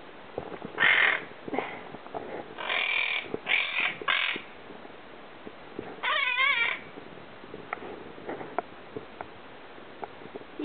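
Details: An 8-month-old pet monk parakeet (Quaker parrot) gives harsh, squawking calls and a wavering chattering burst while behind a blind looking out a window; the owner suspects it is growling at birds outside.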